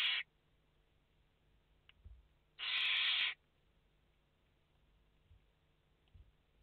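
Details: One rasping, noisy hiss lasting under a second from barn owl nestlings, five chicks in the nest on a live camera, 29 August 2021, with the tail of another hiss at the start and quiet between.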